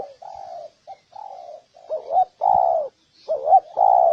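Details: Spotted dove coos aimed at making males and females coo and fight. Several soft, level low notes are followed by two louder pairs, each a short wavering note and a sustained mellow coo.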